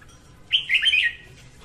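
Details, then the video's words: Female red-whiskered bulbul singing in the morning, a sound used to train birds and attract others to traps; a single rich warbled phrase of quick whistled notes lasting about seven tenths of a second. "Tiếng Chào Mào hót sáng kích chào mào hót, chào mào gọi bổi"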